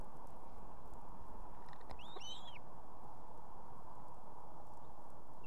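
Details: Female osprey at an evening nest in Estonia with two chicks, calling the male to bring food: a single short arched whistled call, rising then falling, over a steady low rumble of background noise.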